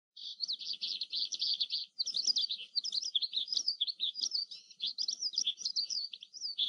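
An Oriental skylark pours out a continuous, high twittering song, starting with a rapid buzzy trill, then a tumbling run of quick chirps and whistled notes without pause.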